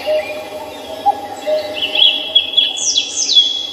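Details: In Samcheong Park, Seoul, birds give high, rapid chirping phrases that rise toward the end, over quiet, lower tonal notes.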